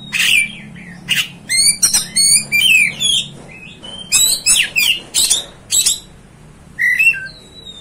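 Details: Oriental magpie-robin, called kacer, singing to stir up other kacers: clear sliding whistles and harsh rasping notes in rapid bursts, a pause, then more clipped phrases and a final falling whistle.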